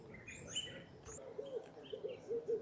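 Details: Dove calling near a large lake on a hillside path leading down to a town gate in Rwanda: soft low cooing notes repeated in the second half, mixed with thin high chirps from other small birds.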